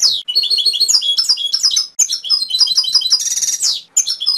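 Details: Canary song, a continuous high-pitched rush of quick chirps and repeated twittering notes, with a dense buzzy rattle near the end and brief breaks between phrases.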